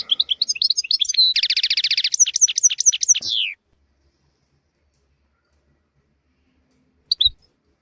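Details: European goldfinch song recorded to tutor young goldfinches and canaries. Quick twitters lead into a rolled buzzy trill and a few falling whistled notes, followed by several seconds of silence and one last short chirp.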